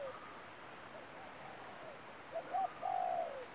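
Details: Trapping decoy spotted dove, quiet at first. Near the end it gives one phrase of two brief coos and a long, soft, downslurred coo, over a steady high-pitched whine.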